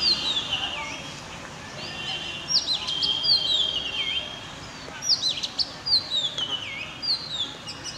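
Oriental Magpie-Robin singing loud, clear whistles, many sliding down in pitch, with quick upslurred notes between phrases over soft background hiss.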